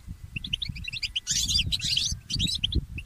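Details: Goldfinch hybrid mule in early morning song, quieter: a string of short high chirps, then dense buzzy twitter phrases, with noticeable low rumbling and knocks in the background.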